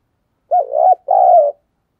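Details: Spotted dove decoy luring wild doves with a two-part coo: a short wavering note, then a longer, steady, slightly falling coo, low and mellow.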